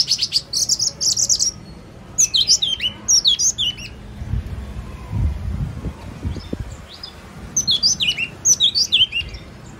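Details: Yellow-cheeked tit (Machlolophus spilonotus), song: high, bright chirping phrases, a quick run of notes repeated in bursts every couple of seconds, over faint low rumbling background noise.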